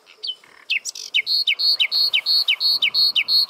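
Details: Common nightingale in full song on a prickly pear cactus, opening with varied whistles, then a rapid, regular trill of repeated loud notes, roughly three per second, each sliding downward.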